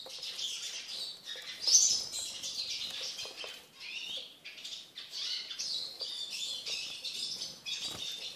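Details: Caged Eurasian siskin with a steady high warbling twitter, phrases of chirps and wheezy notes repeated through the clip, one loud squeaky peak early on.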